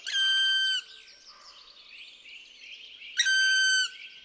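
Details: In a Central European (Polish) forest, a black woodpecker gives two long, plaintive, ringing notes about two and a half seconds apart, each steady and clear, while smaller birds chirp softly in between.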